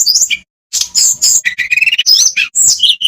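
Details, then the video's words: Olive-backed tailorbird song used as a lure to get idle birds singing: sharp high whistled notes, a brief pause, then rapid buzzy chirps and short trilled phrases running at varied pitch. "Tledekan pancengan supaya gacor dan bongkar isian.... biasa buat burung malas bunyi"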